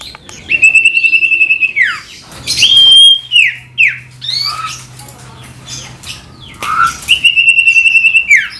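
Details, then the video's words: Energetic ashy tailorbird song meant to provoke a common iora into singing. Long buzzy pulsed notes end in steep downward slurs, interspersed with sharp chirps and short whistles, then a second buzzy trill closes the phrase. "Sirtu Gacor Dor"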